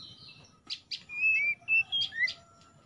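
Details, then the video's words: Oriental magpie-robin song used as a 'morning dew' lure recording to set off stressed kept birds singing: a few sharp chips, then long clear whistled notes held level and sliding, ending with upward-swept notes. "PANCINGAN KACER EMBUN PAGI"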